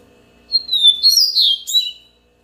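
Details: A yellow-bellied seedeater sings a phrase opening with a long falling whistle, then bursting into rapid high warbles and slurs, lasting about one and a half seconds.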